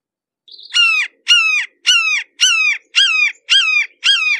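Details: Red-shouldered hawk heard up close, giving a fast run of seven sharp, ringing, downslurred screams about half a second apart, starting with a faint short note, in an otherwise quiet setting.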